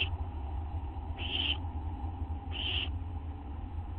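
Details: Owl at a nest box at night, 19 August 2011 around 11 PM, while one owl eats a treat and another lingers outside; two short, harsh hissing screeches about 1.3 seconds apart over a steady low hum.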